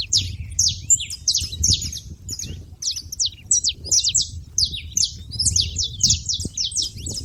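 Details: Noisy saffron finches at a feeder: clusters of shrill, clipped chips with short pauses between bursts, against a low murmur of background noise.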